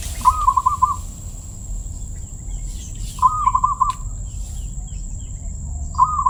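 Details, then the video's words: Zebra dove sings with a voice described as crystal-clear. Short rolling phrases of quick, bubbling cooing notes at one steady pitch repeat about every three seconds, three times, against a thin constant high whine and quiet hiss. "perkutut suara keristal"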